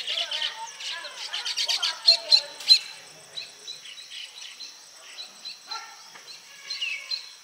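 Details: Baya weavers building nests and attracting females give a busy, high-pitched chatter of wheezy chirps and sharp ticks, loudest at first, then thinning to scattered chirps.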